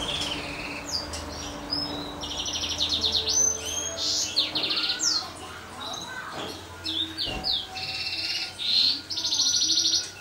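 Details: First-clutch chicks of a European goldfinch × Timbrado canary pairing give a dense stream of high, thin, buzzy chirps and short trills, overlapping almost without pause, with a low hum beneath.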